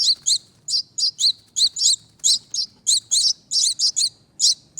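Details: Two baby finches rescued from a wreath on a front door, begging during feeding. Clear, piercing high chirps, singly and in pairs, spaced unevenly over a quiet background.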